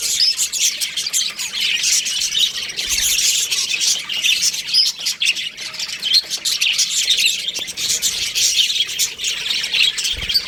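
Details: ['Baby budgerigars calling in an aviary, a constant noisy flock chatter of thin chirps and squawks with brief soft low knocks.']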